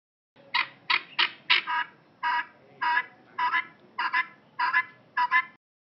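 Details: Helmeted guineafowl (Numida meleagris) giving harsh, grating squawks, about ten in five seconds, some in quick pairs, in an uneven clattering rhythm.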